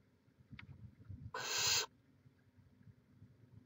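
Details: Barn owl at the nest in Chula Vista, California, live cam, May 2017: one loud, harsh, broadband hiss about half a second long, preceded by a faint short tick, over low rumble.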